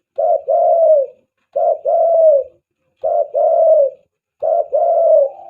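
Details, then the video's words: Spotted dove, recorded as a lure for attracting doves: low two-part coos, a short note then a longer falling one, repeated about every 1.5 seconds in four clear phrases, with a quiet background. "SUARA PIKAT TEKUKUR,,banggo joss buat pancingan..."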